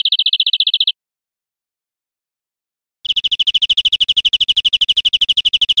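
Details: European Greenfinch song from Spain, 2013: a short high trill of rapid repeated notes, a pause of about two seconds, then a long even trill resumes. No other sounds.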